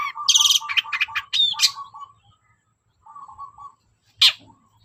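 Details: Long-tailed shrike lure song to stir quiet shrikes: a quick burst of harsh trilled and buzzy notes over a low tonal hum, a pause, a soft murmuring phrase, then one sharp loud call.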